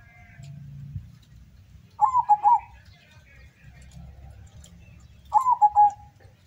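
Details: Zebra dove from Windusari, Magelang, singing at a contest field in Suruh, Semarang, Central Java: two quavering, descending coo phrases three seconds apart, over low crowd murmur and hum.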